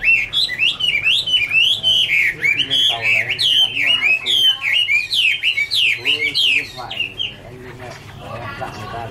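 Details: A Chinese hwamei (Garrulax canorus) pours out its autumn love song, a fast run of slurred whistled notes rising and dipping for about seven seconds before fading into quieter chatter.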